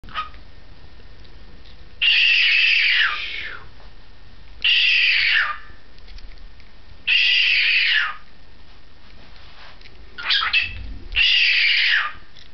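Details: A young cockatiel swinging on a perch, recorded 2012-08-17, gives loud, harsh, screechy calls that slur downward, repeated every two to three seconds.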